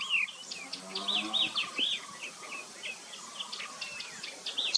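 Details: Yellow-eyed babbler in India calling: a busy run of short descending whistles and chattering notes, several overlapping, with a faint lower hum throughout.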